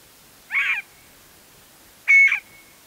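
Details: Scaled quail calling from a trailhead post in Embudito Canyon, Sandia Mountains foothills, eastern Albuquerque, New Mexico, via shotgun microphone: two loud nasal, rasping notes about one and a half seconds apart, each around a quarter second long, in a quiet setting.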